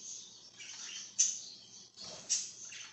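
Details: Budgerigar on 26 July 2023 giving soft, high twittering broken by two sharper chirps about a second apart, over a faint low background hum.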